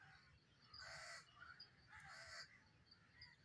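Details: Black francolin calling: two loud, harsh, grating bursts, each about half a second long and roughly a second apart, with quieter scattered notes between them over a steady low rumble.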